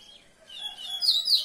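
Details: Common seedeater singing: after a quiet start, a bright, high twittering phrase builds and grows louder toward the end, with faint lower tones underneath.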